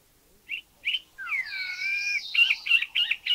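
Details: Spot-throated babbler, not the most melodious but with a wide vocabulary: two short chirps, drawn-out rising and falling whistles, then a quick jumble of varied notes, cleanly recorded in Thai national parks (Khao Yai, Doi Inthanon, Doi Suthep-Pui, Chae Son).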